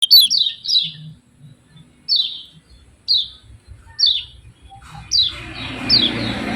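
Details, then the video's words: Yellow-vented bulbul giving short downslurred chip notes, a quick cluster then single notes every second or so, with low rumbling background noise growing toward the end. "SUARA KECIAL KUNING CIAK CIAK JOSS"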